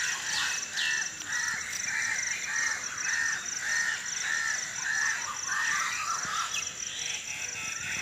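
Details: Birds at dawn, about 5 AM, unedited: a run of harsh, evenly spaced cawing calls repeating roughly twice a second, with scattered higher chirps from other birds and a steady high-pitched hum behind.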